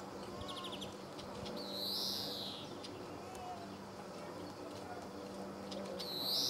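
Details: Male European greenfinch, Croatia, Sabunike, 26 July 2014: a short fast trill of ticking notes, followed by a loud buzzy wheeze that slides downward; another wheeze begins at the end.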